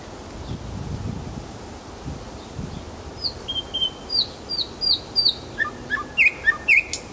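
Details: Nightingale song recorded in Kuzminki forest park: a quiet start, then a quickening series of high whistled, slurred notes leading into loud V-shaped rising-falling notes repeated several times per second.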